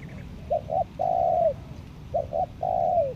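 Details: Decoy spotted dove from Lombok, kept to lure wild doves, cooing: two short low notes then a long falling coo, the phrase repeated twice.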